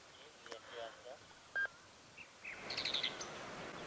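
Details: A Groundscraper Thrush perched atop a distant dead tree on a sunrise safari drive, 13 November 2016, gives a brief run of clear, high whistled notes with a quick tumbling phrase near the end, after quiet human speech.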